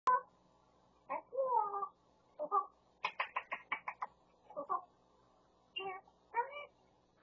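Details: Pet Grey parrot near Los Angeles, California, mimicking household sounds such as a cat, a Pungsan dog and a man calling "yeobo, yeobo"; short speech-like syllables, then a quick run of six bright, clipped notes and more warbled word-like phrases in a quiet room.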